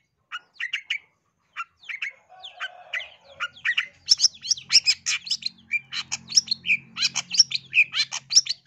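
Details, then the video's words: Long-tailed shrike, East Java type, lure song to make birds sing aggressively: spaced groups of short repeated chirps that build into a fast, dense stream of sharp, varied high notes, over a faint low hum. "Cendet Manapun Langsung Gacor Emosi dengar Pancingan dan Masteran Cendet Jatim biar Gacor Dor Emosi"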